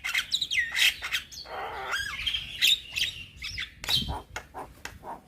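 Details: A young Javan myna sings vigorously in full song with varied phrases, meant to draw replies from other mynas. Scratchy squawks mix with clear whistled notes, then a run of short sharp clicks and chips.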